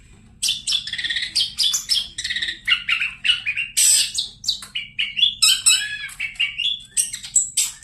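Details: Long-tailed shrike in loud, vigorous song: a fast run of varied notes, some high and piercing, others harsh and buzzy, with bright whistled slurs, delivered in quick pulses.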